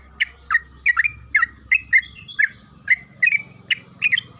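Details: Trucukan kebo, or yellow-vented bulbul, in 'gacor ropel' lure song to provoke singing: lively, bubbly chirps, some doubled, spaced about a third of a second apart over a soft low background.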